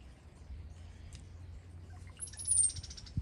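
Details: Brown-headed cowbird: a few soft, liquid gurgling notes, then a thin, very high whistle that slides gently downward with a buzzy edge, over a steady low rumble.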